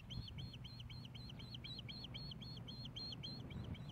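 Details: Osprey at its Hellgate Canyon nest in Missoula, Montana, on 15 May 2016, around a fish delivery: evenly spaced, piercing chirps repeated roughly three times a second against a steady low background rumble.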